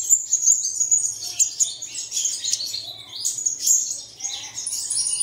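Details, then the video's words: High twittering bird song used to set caged birds singing at dawn. Bright chirps and short slurred whistles come in bursts, with faint lower notes underneath. "Bật Tiếng Chim Này Lên Vào Sáng Sớm Chim Của Bạn Sẽ Hót Ngay"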